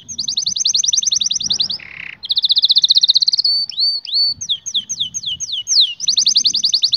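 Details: Canary in full song, fast rolling trills alternating with a brief low buzzy section, then sweeping downward whistled notes and rapid repeated chips, loud and continuous.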